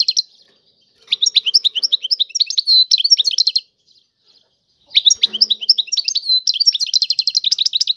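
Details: A European goldfinch sings tiwawati-style song in two long bouts of rapid twittering and bright chirps mixed with buzzy rolls, divided by a silent gap of about a second.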